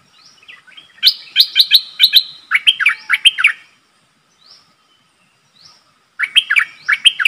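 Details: Streak-eared bulbul, a captive decoy bird calling to lure a wild flock that came in; bright, bubbly chirps in quick bursts of five to six notes, a pause, then another chattering burst, with faint softer calls between.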